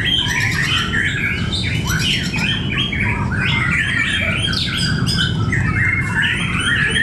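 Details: White-rumped shamas at a fighter-bird singing competition in Cibinong, several birds overlapping with loud, varied whistles, chatters and rasping notes over a steady low rumble of crowd noise.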